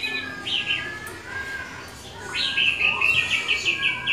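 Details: Orange-headed thrush giving its continuous rolling song, known as ngeroll; a faint start, then a louder run of quick whistled notes and short rising and falling slurs in the second half, with a low background hiss.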